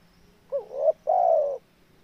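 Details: A spotted dove, locally called tekukur, gives a single phrase: a short rising double note followed by a long, steady, slightly falling coo, with faint low hum behind.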